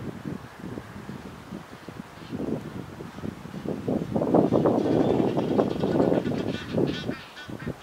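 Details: A flock of red-breasted geese (Branta ruficollis) calls together in a dense, overlapping chatter of short yelping honks, several each second, swelling louder midway before easing off.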